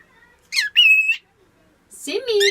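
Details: Male pet cockatiel (Nymphicus hollandicus) mimicking speech, saying he is "my baby" and "a good boy", in a thin, high, scratchy voice that ends in a long, even whistled note.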